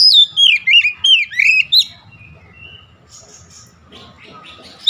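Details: Rousing Oriental magpie-robin song: five or six loud swooping whistled notes in the first two seconds, then soft scattered twitters and faint low background noise, ending on one more bright note.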